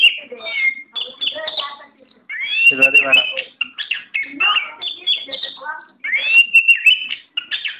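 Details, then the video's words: Oriental magpie-robin, said to be tough and ready for competition, singing loud, varied whistles and scratchy chatter in a continuous stream, with a rising slurred whistle repeated and a brief rougher burst midway. "Burung KACER mental baja siap diadu"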